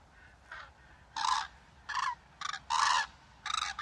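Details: A flock of migrating common cranes (Grus grus) give loud, trumpeting flight bugles in bursts of about half a second, several overlapping, rolling and resonant, with a quiet background hiss.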